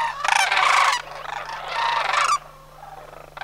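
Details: From a sandhill crane flock leaving Homer on autumn migration in September 2009: two long, rattling, resonant calls, each about a second, then near silence and the start of another call.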